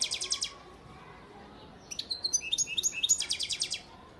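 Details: Goldfinch sire bird from Antalya, Turkey, 2018: a brief trill, a short pause, then a longer phrase of sparkling, high chirps and dense repeated trill notes.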